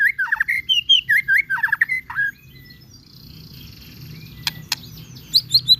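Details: Lure song of a white-rumped shama meant to make other birds respond: repeated whistled phrases with rattling descending notes, a pause with faint hiss, then a few high thin notes.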